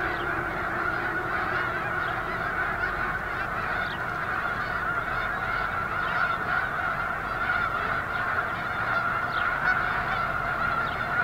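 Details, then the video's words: Snow geese massed at Eagle Scout Lake, 13 February 2024: countless birds honking at once in a continuous, roaring babble of high nasal barks, with a few sharper yelps rising above the din. "Snow Geese at Eagle Scout Lake"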